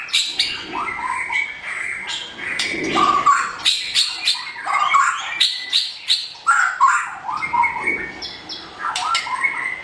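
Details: Blorok white-rumped shama, marked by white feather patches, giving a dense, varied song of clicks, chattering notes and mid-pitched whistles, with sharp high ticks scattered throughout and brief pauses between bursts.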